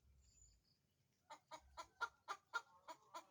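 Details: Chicken getting ready to lay an egg and seeking a place for it. After a quiet start with faint distant whistles, eight clear clucks follow at a fast, fairly even pace.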